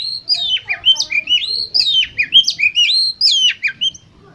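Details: Competition Oriental magpie-robin song meant to prompt rival birds to respond: rapid sequence of clear whistled notes swooping up and down, about two per second, sharp and varied.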